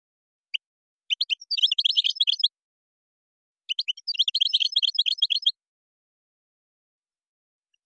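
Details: Moroccan goldfinch song of gazrat and srrr bertbertiou type: two long, dense rattling twitter phrases of about one and a half seconds each, introduced by a few single chirps.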